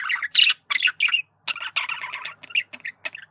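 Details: A male budgie communicating with a burst of loud squawky notes, then a run of rasping, buzzy chatter and short chirps, the phrases packed closely together.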